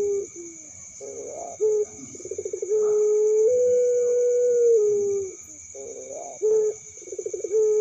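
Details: A young puter pelung dove repeats its call twice: rough wavering notes, a rapid pulsed stutter, then a long drawn mellow tone that lifts and slowly slides down, over a continuous high-pitched whine.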